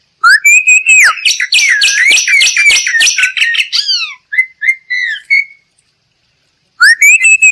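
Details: Bali myna lure and training song, a species endemic to western Bali's forests: loud rising whistles lead into a dense chattering run of high notes, then separate sliding whistles, a pause, and another rising whistle.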